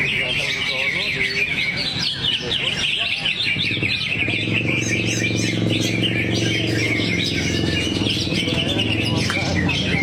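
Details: Greater green leafbird, a kept songbird, delivering a fast, busy stream of high twittering and whistled notes, with a steady low hum running underneath from the middle onward.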